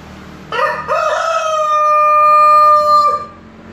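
A Brahma rooster crows once: a short broken opening, then a long, steady, ringing note held for almost two seconds before dropping off.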